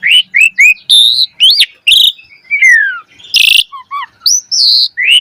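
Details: Black-collared starling singing energetically, used as a lure to get other starlings singing fast: a varied run of loud whistled notes, some rising, some sliding down, broken by a harsh rasping burst near the middle.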